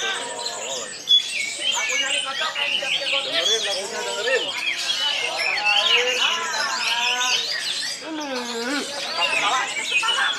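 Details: Orange-headed thrushes at a singing contest in Karawang, Indonesia: many overlapping loud whistled phrases, rising and falling slurs and rapid warbles, with a low swooping whistle near the end and background music.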